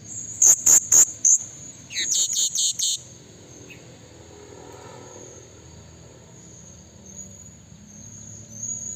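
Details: Blue-crowned hanging parrot calling, a sound used as a lure to bring in wild rivals: very high, sharp shrill notes in two quick bursts of four and five over about two and a half seconds, then only faint background hiss.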